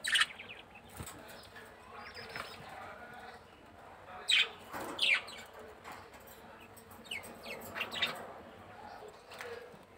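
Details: Pet budgerigars kept at home give short, scratchy chirps and warbles in scattered bursts, with sharper notes near four and five seconds, over faint household background and some wing flutter.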